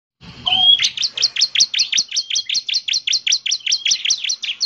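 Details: Bar-winged prinia in lively, full song: a fast series of sharp, high downslurred notes, about twenty in a row at an even pace, with a brief rising whistle near the start.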